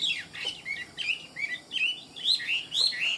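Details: Chinese hwamei, a tame caged bird kept for fighting, sings ngũ trường style: a string of loud, clear whistled notes that swoop up and down, coming in quick bursts about twice a second.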